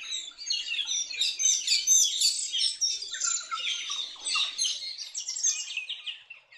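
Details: Metallic starlings, a large noisy flock in Far North Queensland forest where they arrive from New Guinea in spring, chatter in a dense, continuous jumble of high, wheezy chirps and squeaks, several birds at once with no pause.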